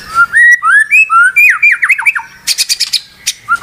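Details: White-rumped shama song of clear whistled notes, first a run of rising slurred whistles, then quick descending strokes, followed by a burst of harsh high rattling notes and a final whistle.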